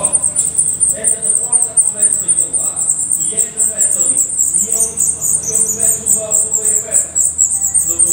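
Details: Continuous rapid high-pitched chittering from a black redstart nest in Portugal, many thin notes per second, with a soft lower murmur running beneath.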